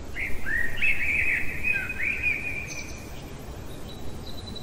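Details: Night-singing common blackbird delivers one long, mellow, slurred whistled phrase lasting nearly three seconds, followed by a few faint, thin high notes, against constant low rumbling noise.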